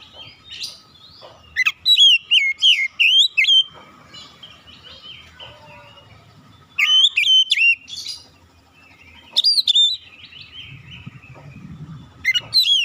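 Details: Oriental magpie-robin song delivered in three bursts, each a rapid string of sharp, looping whistles that rise and fall, separated by several seconds of quiet with faint low background rumble.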